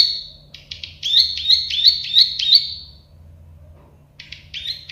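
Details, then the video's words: Plain prinia song: a soft buzzy opening note, then a short run of clicking, rising chirps for about two seconds, silence, and a few more buzzy clicks at the end. "Masteran burung prenjak sawah klik-klik"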